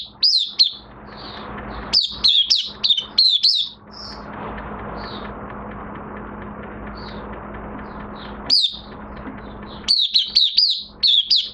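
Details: Oriental white-eye, in minor moult, giving rapid runs of thin, high, down-slurred chirps, with a long pause of soft background noise in the middle before the song resumes.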